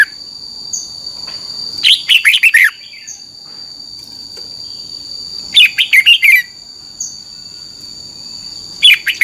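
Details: Red-whiskered bulbul song, played so caged birds learn it: short phrases of several quick, sharp whistled notes roughly every four seconds, with a steady insect-like high tone and faint chirps between phrases.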